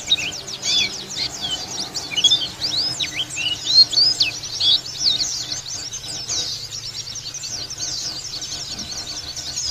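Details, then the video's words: Ngalas song of a local Lawu dakun white-eye, beak open: a clean, rapid torrent of high, thin chirps and slurred twitters. It is densest in the first half and grows quieter and sparser toward the end, with little background noise. "Pleci Dakun lokal Lawu Ngalas Buka Paruh"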